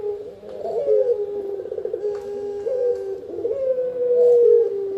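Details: Spotted dove heard for luring and master training, giving a continuous series of low rolling coos, each phrase a rippling throb ending in a steady held tone.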